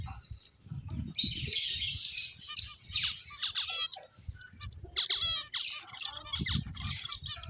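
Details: Several finches at play chatter in quick bursts of high, buzzy chirps, pausing briefly before another run of rapid twittering, with faint low rustling beneath.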